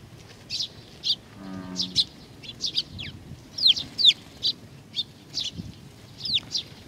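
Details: Sparrows coming to be fed at Tenmangu, Nakanoshima, 21 June 2020, with scattered high chirps and a few down-slurred notes; a brief low buzzing sound near the start.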